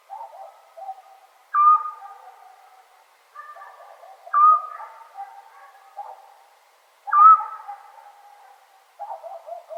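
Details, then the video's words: Eurasian scops owl at night in Serbia, Europe, in summer: a steady whistled note, briefly rising at its start, repeats three times at intervals of about three seconds over lower, fainter background calling. "Sound Of Owl At Night"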